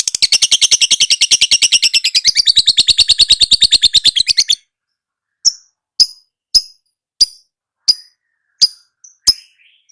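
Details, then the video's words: Lovebird song used as a training recording for caged lovebirds: about four seconds of fast, dense, high chattering trill, then sharp, high single chirps repeated roughly every half second with silent gaps. "Suara Burung LoveBird~for~ Masteran(biar gacor)"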